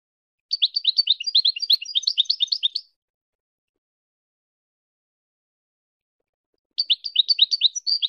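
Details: Goldfinch singing, meant for teaching hybrid chicks to sing: a rapid, jumbled burst of high twittering notes lasting over two seconds, then silence, then another twittering phrase begins near the end. The background is quiet.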